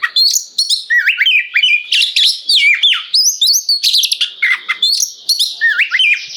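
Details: Oriental magpie-robin (kacer) singing in full gacor ngeplong style, a kept bird's song used to prompt other magpie-robins to answer: rapid varied phrases of rising and falling whistles, sharp notes and buzzy trills, nearly continuous.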